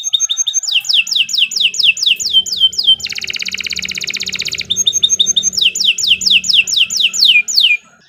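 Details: Long canary song for training young birds to sing: quick repeated downward-sweeping whistles, a sustained fast mechanical trill lasting over a second, then another run of falling sweeps.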